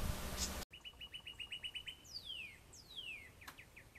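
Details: A House Wren in a suburban backyard near Orlando, Florida, on October 24, 2019, gives a fast run of about ten high chips, two sharp downslurred whistles and more chips, after a burst of rough noise.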